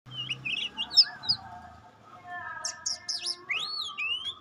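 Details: Oriental magpie-robin of the pastol type, singing: scattered clear whistled notes and rising slurs, some high and thin, with gaps between phrases over a steady low background hum.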